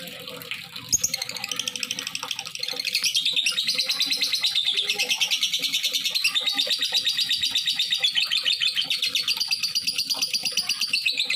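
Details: Lovebird calling as a lure to prompt other lovebirds: a shrill, fluttering chatter that builds over the first seconds into steady rapid pulses, over a noisy background with a persistent low hum.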